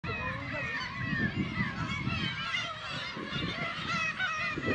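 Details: Black-tailed gulls at a breeding colony of about 30,000 birds on Kabushima, Hachinohe, Aomori, Japan, on 10 June with chicks present; a dense, continuous chorus of overlapping nasal, mewing calls over a low rumble of wind and surf.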